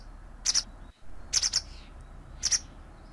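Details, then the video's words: Sharp, high double and triple chirps from a white wagtail, in three bursts about a second apart, over a soft low hum. "Canto de la Lavandera Blanca"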